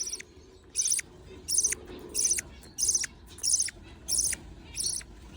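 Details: Baby budgerigars being fed call with loud, grating, high-pitched bursts evenly spaced about every 0.6 seconds, separated by quiet gaps.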